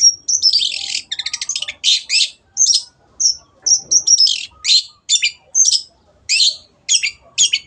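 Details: Long-tailed shrike in lively song used as a caged-bird tutor: an opening whistle and rattling trill, then harsh, buzzy, scratchy phrases repeated about twice a second, with short whistled notes mixed in.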